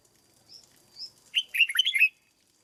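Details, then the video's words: Caged red-whiskered bulbul in training: two soft, thin high notes, then a loud tumbling phrase of clear whistles rising and dipping, about three-quarters of a second long. "Cách chăm chào mào căng lửa nhanh hiệu quả nhất, cách dợt chào mào mồi"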